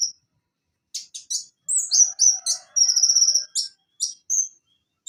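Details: Song of Van Hasselt's sunbird used as a training recording: scattered high sharp chips and upswept notes build into a steady buzzing trill, with faint lower whistled tones drawn out beneath the phrases.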